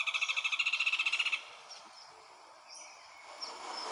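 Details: Rufous hornero singing a fast, loud ringing trill of repeated sharp notes that ends abruptly, followed by quiet background with faint distant chirps.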